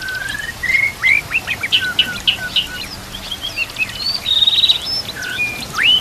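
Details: Training song of a White-rumped shama, used to coach silent or young birds, over a background of nature sounds and running water: long whistled slurs mixed with quick chattering notes and rising upswept phrases.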